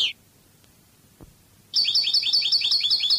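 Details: Wild European goldfinch, Spanish Cadiz song style from a training recording: a brief high squeak and a soft click, then a quick, bright stream of repeated tinkling twitters starting after a pause.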